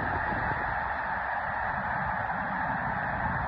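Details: Snow goose flock lifting off on March 4 at Mobridge, South Dakota; a dense, unbroken wall of overlapping honking calls from many birds holds steady and loud from start to finish.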